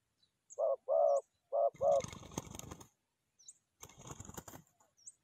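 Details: Forest dove call used for trapping: two pairs of low hollow coos, a short note then a longer one, followed by loud rustling and wing-flapping noise with faint high chirps.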